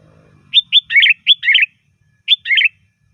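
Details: Sooty-headed bulbul song, loud and varied, used as a lure for bulbuls: a quick run of bubbly, warbled notes, a brief pause, then two more slurred notes in a quiet setting.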